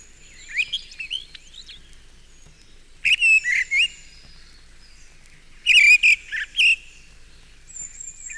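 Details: A male mistle thrush in a town park gives his subsong at close range, a quieter version of the territorial song: soft rambling warbled phrases with thin high squeaks in short bursts; blue tit and wood pigeon faintly behind.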